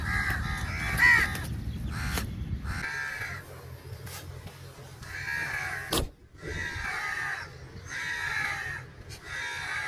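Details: Several crows calling for food, with eagles said to be fighting over meat nearby: a run of harsh, nasal caws repeated roughly every one to two seconds, with a low rumble early on and a sharp click midway.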